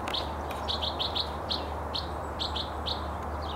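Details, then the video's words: Bewick's wren singing along the Yakima River on 8 March 2012: a quick series of about ten short, high, slurred chips, roughly three a second, over a steady low hum. "Singing Bewick's Wren"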